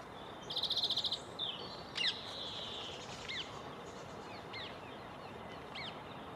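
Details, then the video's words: A male European greenfinch gives its twittering song, the second of its two songs: a quick, rattling trill, then short, looping twittered notes about once a second over steady background hiss. "Greenfinch: the other song"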